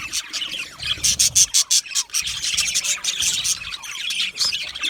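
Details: Chirping budgies, with a quick run of about six sharp, evenly spaced high chirps near the start, then looser warbled twittering and scratchy chatter.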